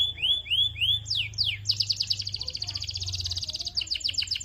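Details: Canary song meant to prompt other canaries to sing: upward-curving whistled notes, quick downward sweeps, then a long dense rapid trill breaking into repeated sharp chirps over a soft low hum.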